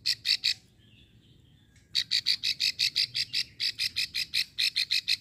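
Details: A female plain prinia in Ulujami, Central Java, gives a long run of dry, buzzy clicking notes, about three per second, high-pitched and harsh, after a brief pause, used as a lure to make males call; low background hum.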